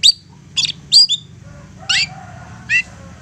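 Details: Lure song of a persistent long-tailed shrike, used to make other shrikes reply: a few separate harsh bursts and downslurred notes spaced out over a quiet hum.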